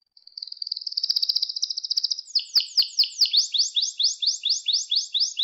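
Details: Canary singing in a recording to train young canaries: a fast high trill that builds in loudness, then slower repeated rising-falling sweeping notes, about two per second.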